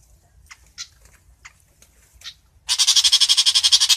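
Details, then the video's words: A long-tailed shrike calls its flock together. Brief sharp notes come first, then a loud, steady run of harsh, buzzy pulses repeated about four times per second to the end. "Chim Bách Thanh (Chàng Làng) hót gọi bầy"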